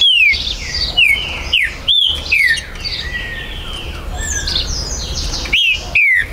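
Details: Green-winged saltator (trinca-ferro), a bird kept by a Brazilian breeder, recorded 19 September 2020 to stir territorial singing: loud, clear whistled notes sliding downward, delivered in spaced bursts, with fainter birds chirping in the background.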